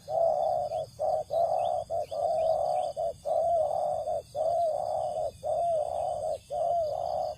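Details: Spotted dove in a rice field, used to lure wild doves, giving low mellow coos in a steady series of about ten notes, each roughly half a second long with short pauses between, over a constant faint electronic hum.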